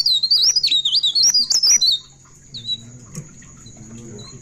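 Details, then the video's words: Pied bushchat singing at midnight in ngerol style: two seconds of fast, high, wavering whistled warble, then a single short whistle and quiet low humming noise. "Burung Pare pare Gacor Ngerol Enak Tengah Malam"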